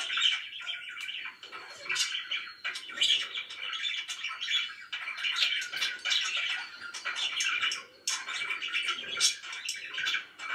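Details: Pet budgerigars chirping loudly: a dense, continuous chatter of overlapping short chirps and warbling notes, rising and falling in bursts without pause.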